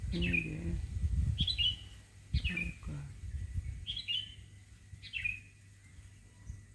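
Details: Birds heard in the morning in front of a home, giving five sharp, descending chirps about every second, with faint low background sounds and brief murmurs underneath.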